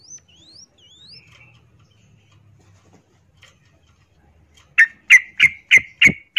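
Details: Female yellow-vented bulbul in breeding condition calling a male: faint thin rising whistles at first, quiet pause, then five loud sharp clipped notes spaced about a third of a second apart.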